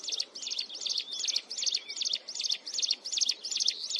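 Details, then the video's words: Mountain wren at close range pouring out a continuous, shrill song: sharp, high sweeping notes repeated evenly, about two and a half per second, with a couple of faint thin whistles slipped between them. "Cận Cảnh Tiếng Hót Liên Hồi Chói Tai Của Chim Hồng Tước Núi"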